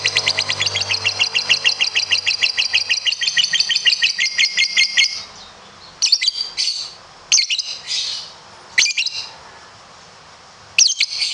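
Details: Lovebird competition song with a long trill: a steady rapid rattling trill of about five seconds, then several short harsh chattering bursts with gaps.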